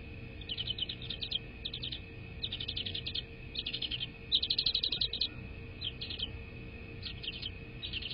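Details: American bald eagle at a nest on a live camera, evening of 22 February 2024: series of high thin chattering notes in short bursts, with steady electronic hum throughout.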